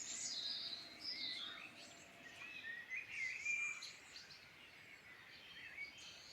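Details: Irish Midlands birds singing together: high thin whistles and varied chirping phrases tumble over one another, with a clear whistled note near the middle, over a quiet rural hiss.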